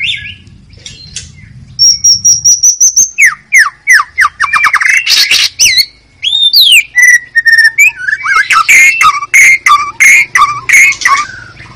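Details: White-rumped shama singing in the wild forest: a long high thin whistle, then a loud cascade of sharp chips, slurred whistles and squawky notes, ending with rapid repeated notes of even rhythm.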